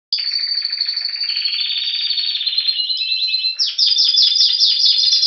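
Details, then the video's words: A Spanish Timbrado canary awaiting spring in February 2016 at Anavissos, near Athens, Greece, sings a continuous high, bright, metallic bell-like trill that shifts into a faster rolling phrase. "Canario Timbrado Espanol esperando la primavera"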